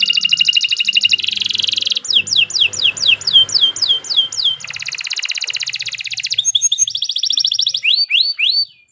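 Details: Kenari 86 canary giving continuous morning song to tutor beginner songbirds: buzzy rapid rolls, a run of sharp falling whistles, further trills and closing downslurred notes, with a faint low rumble behind.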